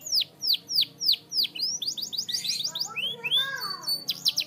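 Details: Canary training song opening with loud downslurred notes repeated about every third of a second, then varied warbling, rising slurs and quick chips, all high-pitched.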